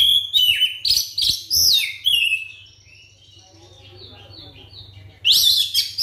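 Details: White-rumped shama singing as a lure to make other shamas sing: rich whistled phrases sweeping down from high notes, repeated in quick bursts, then a pause of soft twitters before another loud burst near the end.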